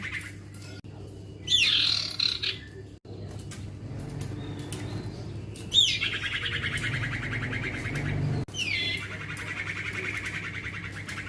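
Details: Young male common iora, called cipoh or sirtu, heard more softly: several high falling whistles, each followed by a rapid buzzy trill, over a low steady hum.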